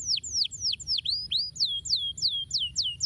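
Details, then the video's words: A canary sings, intended to spur lazy canaries to sing: repeated falling whistled slurs about four per second, switching midway to rising-then-level notes in a steady series. "estimula rapidamente o som de canários preguiçosos cantando"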